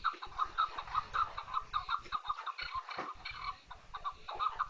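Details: A chukar partridge gives rapid clucking notes in a steady stream, each short and throaty, with almost no pause between them.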